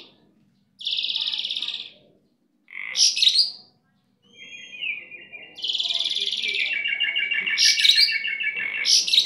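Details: Lively, gacor-style singing from a kept starling: a long flat buzzy note, a squeaky chattering burst, softer warbling, then a steady rapid rattling trill mixed with buzzes running to the end.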